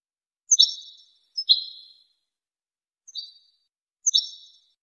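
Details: European goldfinch song for training: four rich, nasal-toned notes, each a sharp attack with a fading ringing tail, spaced about a second apart, with no background sound.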